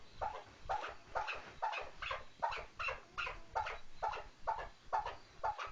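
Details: Chukar partridge uttering a regular run of short, raspy clucks about twice per second, evenly spaced, with steady background hiss.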